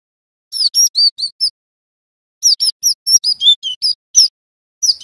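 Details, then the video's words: Young male Java sparrow training material: a master recording meant to make the bird sing a rolling song, with two rapid runs of bright, high, bell-like chirps split by a short silence. "Glatik Batu Belajar Bunyi NGEROL - Suara MASTERAN Terbaik Bikin Gelatik Wingko Bahan Cepat GACOR"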